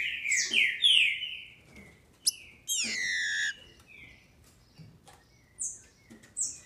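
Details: Captive Brazilian female green-winged saltator, used to excite males: loud, quick slurred descending notes at the start, a sustained buzzy sweep near three seconds, then scattered brief high notes.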